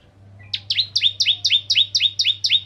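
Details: 'Ciblek kristal' bar-winged prinia singing as a lure for other prinias: after a quiet start, a short, brisk series of about nine high, upward-slurred double notes, evenly spaced, over a low background hum.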